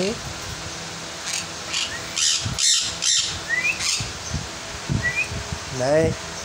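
A lorikeet gives harsh, screechy bursts and a few thin, high chirps, mixed with a person's voice calling to it.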